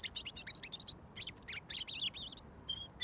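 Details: Robin, a wild bird fed daily for over a year, singing from about a foot away until given mealworms; high, rapid jumbled phrases of thin warbling and trilled notes with brief pauses.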